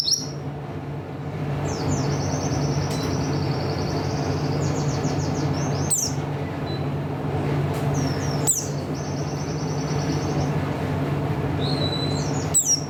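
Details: Song material from an Oriental white-eye, buxtoni type: spaced, high, fine-grained trills, each held about a second, broken by sharp ticks and clicks, over a constant low hum and background noise.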